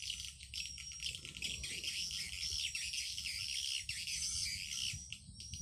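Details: Swiftlet lure call for swiftlet farming, broadcast through an amplifier: continuous high, rapid chittering chirps layered together over a constant low electrical hum.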